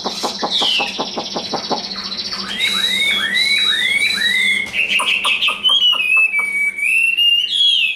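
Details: Captive Chinese hwamei, tame and large, sings during fighting display: sharp repeated clicks first, then a series of down-slurred whistles and looping warbled phrases, with steady low hum behind.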